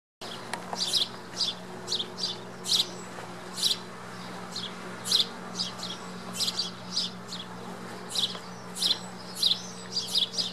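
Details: Sparrow nestlings inside a knothole in the side of a wooden building on Whidbey Island, Coupeville, Washington, in May 2013, fed by their mother; rapid high thin chirps in short bursts, repeated roughly every half second, over a faint steady low hum.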